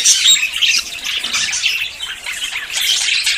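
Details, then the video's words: Courting budgerigars close to breeding fill the air with busy, high-pitched warbling and chirping, many voices overlapping in a continuous scratchy chorus. "CON ESTE AUDIO TUS PERIQUITOS SE APAREARÁN"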